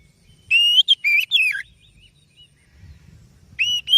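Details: Oriental magpie-robin (kacer) lure song: a fast cluster of rising and falling whistles, quiet with low background rumble, then two more bright rising whistles.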